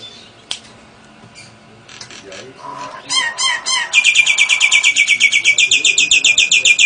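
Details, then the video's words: Nias hill myna in a varied song with lovebird and canary mimicry: faint clicks and soft warbles, a cluster of loud sweeping whistles, then a long, fast, buzzy chirping trill. "Kicau Jalak Nias Gacor Istimewa Variasi lovebird & Kenari AF NGEKEK"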